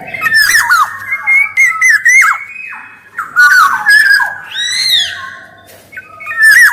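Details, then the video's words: Black-naped oriole, male and female, singing steadily as a lure and master song: liquid looping whistles roughly every few seconds, interspersed with scratchy nasal notes rich in overtones. "SUARA KEPODANG EMAS GACOR"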